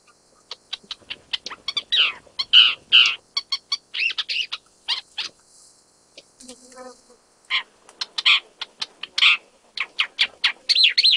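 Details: Isabelline shrike in Jiangjun District, Tainan, Taiwan, on 25 December 2023, a first record for Taiwan's main island, giving a rapid run of harsh, scratchy chattering notes, varied in pitch, with one lower nasal buzzing note midway.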